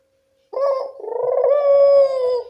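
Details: Barbary dove heard in the evening, a call used as a lure for doves that seldom coo: one short note followed by a long, trembling, rolling coo held steady for over a second.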